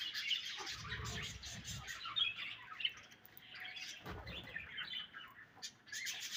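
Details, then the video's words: Budgerigars eating their favourite food; scratchy, buzzy chirps and warbles in loose bursts, with a few brief dull thumps and a pause near the middle. "Budgies Eating Their Favorite Food"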